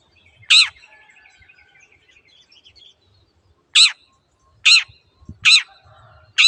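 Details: Long-tailed shrike training recording for caged birds: loud, grating notes, the first one alone, then four more in quicker succession, with faint twittering in the quiet gaps.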